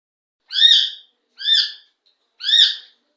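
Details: Indian ringneck parakeet, kept in Pakistan, giving three loud harsh screeching calls about one second apart, each a broad raspy squawk with layered bands; no other sounds.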